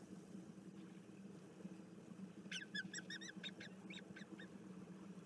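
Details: Bermuda petrels recorded 06 04 2021: a rapid series of short, sharp, high notes lasting about two seconds, over a constant low hum.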